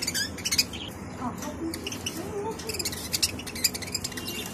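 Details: Budgerigar chicks give raspy, high, scratchy begging chirps in quick uneven bursts, with a few softer lower notes and faint room noise.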